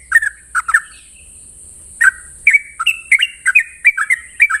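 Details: Morning ropel song of a Sooty-headed bulbul: two quick bubbly doublets, a short pause, then a fast series of clear slurred whistles, some sharply upslurred, with steady background hiss.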